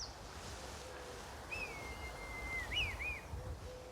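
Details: A red kite, one of two sailing overhead above a garden, gives a thin, high whistle held about a second and sliding slightly down, then a quick wavering warble, over a low outdoor rumble.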